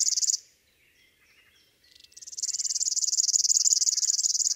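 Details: River Warbler, a species found not only by rivers but also in woods, gardens and parks, singing at dusk: a high, dry, insect-like buzzing of fast, evenly spaced pulses that breaks off briefly and resumes steadily like a sewing machine.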